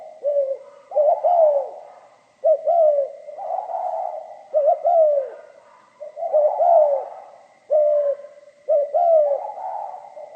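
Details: Spotted dove giving pha kim voice song, many phrases in a row: paired short notes followed by sliding, falling coos at an even pace, with a faint steady electronic-sounding hum.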